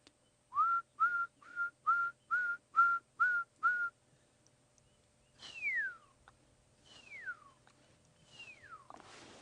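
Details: Pearl-spotted owlet calling in the background during a morning safari drive in the bush: eight short, level whistles at a steady quick pace, then three long, loud whistles that slide downward. Nothing else is clearly heard.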